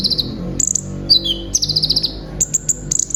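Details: Kept brown-throated sunbird, known to mimic other birds, singing a short burst: rattling high notes, one sharp falling whistle, then a fast trilled run and spaced high chirps.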